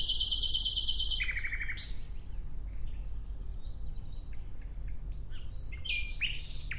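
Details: Nightingale song in a natural setting, opening with a long burst of very rapid, loud repeated notes that drops into a trill, then quieter scattered notes and a sharp phrase, over constant low rumbling noise.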